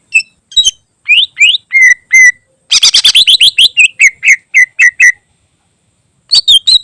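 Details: Greater green leafbird singing a varied song used as a tutor recording for other birds: sharp whistled notes and rising slurs, then a rapid burst of buzzy chips, a run of level whistles repeated about twice a second, and a short pause before more chips.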